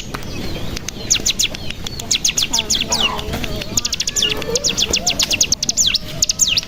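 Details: Bar-winged prinia (cigun) lure song to make other birds sing: a noisy field recording with fast series of high, sharp notes in bursts, some rising, over a steady hiss and low rumble.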